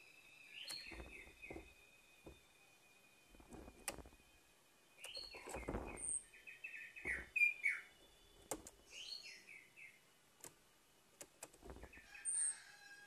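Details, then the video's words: Orange-headed thrush in morning song, used to prompt a bird that has gone quiet: bright, rapid warbled phrases of slurred whistles come in several bursts, with thin very high notes, scattered clicks and soft thuds between. "PANCINGAN ANIS MERAH PAGI HARI MENGATASI ANIS MERAH MACET"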